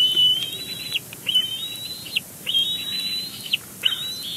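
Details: Bald eagle calling at a Big Bear Lake nest on 12 May 2022, live nest cam, while the pair handles nest material; a series of four high, thin whistled phrases, each slightly rising then dropping, separated by short pauses.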